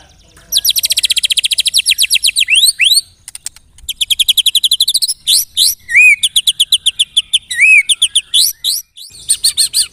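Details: Loud white-rumped shama pancingan lure song: long, fast trills of sharp repeated notes, broken by a few short pauses, with scattered bright whistled notes and chips near the end.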